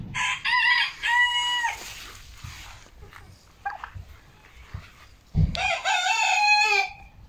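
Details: Backyard chickens on 10 October 2022: two loud, strained, harmonic calls at the start, quiet scuffling in between, then another long drawn call that wavers and falls near the end.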